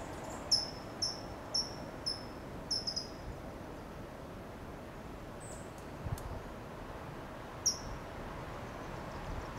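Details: California towhee on a low perch in Del Monte Forest, California, giving sharp, high "tsip" calls, about two a second at first, then scattered single chips over a steady low rumble.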